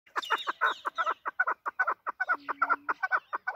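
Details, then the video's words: Chukar partridge, a local hunting bird, giving a rapid, rhythmic series of short clucking chuk notes, about two or three per second, mid-pitched and harsh, with a faint steady hum in the middle. "Shekari Chakor voice. Desi chakor voice. Chakor sound."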